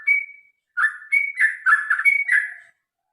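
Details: Sooty-headed bulbul (trucukan) singing its long fighting-style song, meant to get birds singing: a level whistle, then a tumbling run of mellow warbled notes close together before ending.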